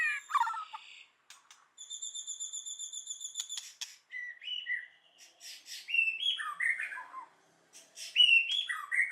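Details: White-rumped shama song in forest style: a long high buzzy trill held for two seconds, then bursts of varied rapid whistled notes.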